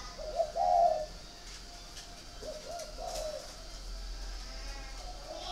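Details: Caged spotted dove at a dove-keeping garden in Ba Vì, Hanoi, northern Vietnam, giving a loud, low husky coo near the start, followed by softer, shorter cooing notes over steady background hiss and faint clicks.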